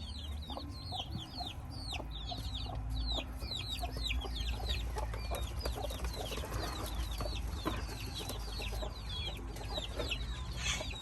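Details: Mother hen with her chicks: a dense chorus of thin, falling peeps from many chicks, continuous throughout, with a low background rumble.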